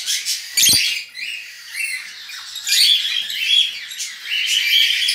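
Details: Budgerigar chicks taken out of their nest in captivity give scattered raspy, hissing chatter, with a brief knock near the start and louder bursts of rough squawks in the second half.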